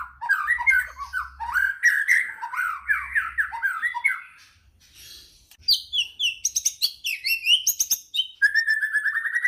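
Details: A white-rumped shama unleashing its repertoire to goad other shamas into song: a fast run of lower, slurred warbling notes, a brief pause, then higher, sharper whistled phrases and a final steady trill.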